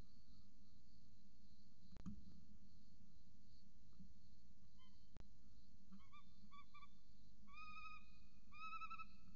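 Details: At a nest camera in Orange, Australia, with a peregrine falcon chick and its mother, a steady hum and a few clicks give way to short harmonic calls that build into longer, drawn-out notes near the end.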